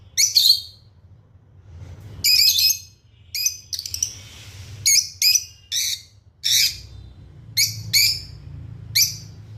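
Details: Lovebirds, red-headed, lutino and opaline kept as pets, chirping: a string of short, shrill, harsh notes at irregular gaps of about half a second to a second, with a low rumbling hum throughout.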